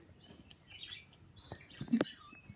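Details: Two pet birds chirping and making kissing sounds indoors: short, thin high chirps and quick twittering notes, with scattered sharp clicks and a louder burst near the end, over a faint low background hum.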